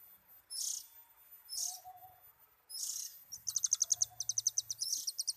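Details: Oriental magpie-robin at ease sings three raspy high bursts, then switches to a fast run of crisp repeated ticking notes.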